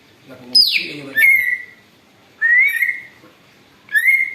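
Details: Greater green leafbird imitating an eagle, used for luring: a high scream sliding downward, followed by three drawn-out upslurred whistles spaced over a second apart, with quiet gaps between.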